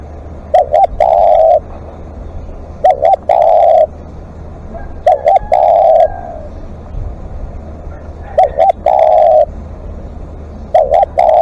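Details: Decoy spotted dove in long calling: four phrases of two short coos plus one prolonged mellow coo, about every two and a half seconds, with light crackling noise and low steady hum.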